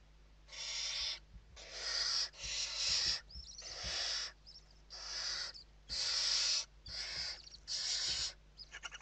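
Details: Inside a Western barn owl nest in Spain, 29 November 2023, at evening feeding: near-continuous train of loud breathy hissing screeches, about eight bursts, ending with rapid clicking ticks, soft thuds beneath.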